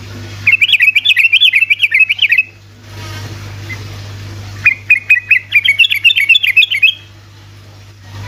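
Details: Sooty-headed bulbul, rapid 'ropelan' song used as a lure to get reluctant bulbuls singing: two long, fast runs of bright bubbling notes, each lasting about two seconds, separated by a quieter pause with faint background noise.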